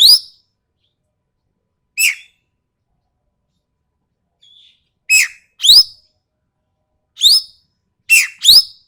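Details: Sumatran ekek keling calls recorded for training songbirds: rough, shrill squeals that sweep upward, alternating with lower buzzy notes, often in quick doublets, plus one faint soft whistle, in a quiet background.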